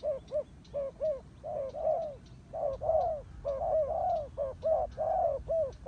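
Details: Loud turtle dove calling, a mix of short paired coos and longer drawn-out, slightly wavering coo notes in an uneven rhythm, with some faint high clicks in the background.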